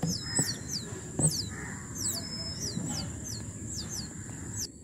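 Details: Oriental magpie-robin at a balcony nest box where a pair nested and raised chicks: thin, high, downslurred chirps repeated several times a second over a steady high-pitched whine and low background rumble.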